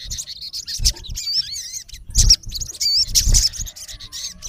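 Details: Male olive-backed sunbird, locally sogon, calling toward a rival: high twisting whistles and sharp chirps, irregular and quick, over dull low thumps.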